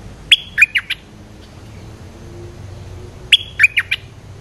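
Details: Streak-eared bulbul, a large, well-built resident territorial bird, coming down in response to a lure call: two bursts about three seconds apart, each of four short, sharp, chirpy notes dropping and rising in pitch, over quiet background hum.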